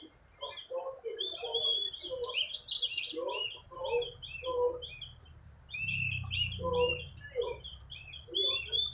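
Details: Recently purchased oriental magpie-robin under training, singing strongly with bright whistled and slurred phrases and scratchy chips. Brief lower notes are repeated between phrases, and a low rumble sounds midway.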